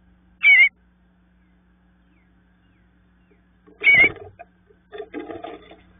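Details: Baby bluebirds waiting for their parents to call them out of the nest give two brief, warbled chirps roughly three seconds apart, then some low scratching and rustling movement.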